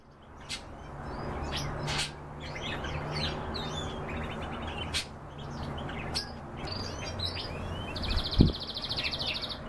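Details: Kept canaries; low steady hum and scattered chirps through most of the recording, then a short, bright, fast rolling trill near the end, with a sharp click just before it.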